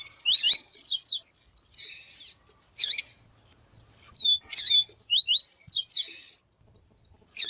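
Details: Double-collared seedeater (papa-capim viviti), a male singing with a female calling to fire him up: bursts of quick, high twittering and chipping notes, with a thin, steady high whine through much of it.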